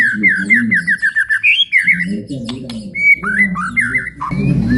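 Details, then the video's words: White-rumped shama giving a long flowing 'ngalun panjang' song, described as soothing yet able to fire up other birds and train young shamas: quick series of clear whistled notes, rising and falling, in short repeated runs over low murmuring voices and music. "MURAI NGALUN PANJANG | SUARA PEMICU EMOSI BURUNG JUARA"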